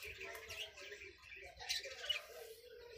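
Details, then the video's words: Baby parakeets at night, giving a run of soft, overlapping chirps and twittering notes with a faint low hum underneath. "Parakeets @Baby Keets @ night"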